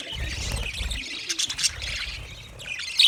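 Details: Budgies twittering softly in high, scratchy notes, with a low rumbling sound during the first second and a sharp squeak at the end.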